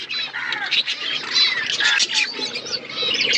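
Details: Budgies flocking to eat winter food, a steady chorus of many birds giving high warbling chirps and squawks, with faint flutters underneath.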